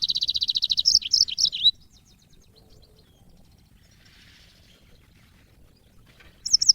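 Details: Yellow-fronted canary song used as training audio for cage birds. A fast, rattling high trill with chirps runs for nearly two seconds. A long quiet gap follows, then a brief high twittering burst at the end.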